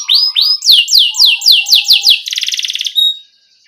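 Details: Rolling canary song meant as a master for juvenile canaries: a couple of whistled sweeps, a run of descending slurred notes, then a short fast buzzy trill and a final note fading out.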